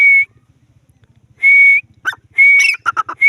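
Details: Grey francolin call: steady high whistles that rise slightly at the end, repeated every second or so. Short sharp chattering notes come in between, over a faint low throbbing hum.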